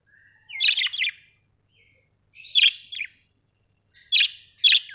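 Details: Pet budgerigars giving short scratchy chirping calls in three bursts, each a pair of harsh notes about half a second apart, with quiet gaps between.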